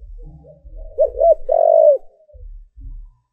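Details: Spotted dove used as a decoy, cooing to attract wild doves: a pair of quick coos followed by a sustained, slightly falling coo, over soft background cooing and low knocking sounds.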